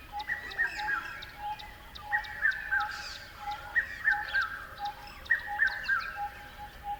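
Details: Repeated bird chirping: sets of three short notes stepping downward, recurring about every one and a half seconds, layered over a steady hum and light high-pitched ticks.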